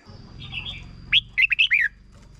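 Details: Red-whiskered bulbul singing one short 'double' phrase for young birds to learn: a soft warble, then a quick run of four or five bright, rising and falling whistled notes over a low background rumble.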